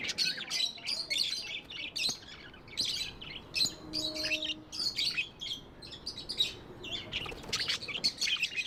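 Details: Pet budgerigars chatter in quick, high, squeaky chirps and trills, many birds overlapping, with a faint steady low tone briefly in the background.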